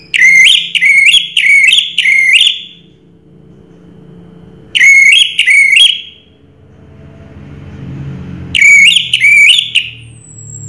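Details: Orange-headed thrush singing a 'Raja Teler' style song: three bursts of quick, repeated whistled notes, each burst of four or so rising-falling phrases, separated by short pauses, with a faint low rumble of traffic beneath.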